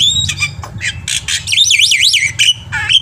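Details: Lively black-winged myna song from a repertoire-rich training recording for prompting caged birds to sing. Clipped harsh notes lead into a rapid wavering whistled trill that rises and falls several times, then sharp squawks, above a faint low hum.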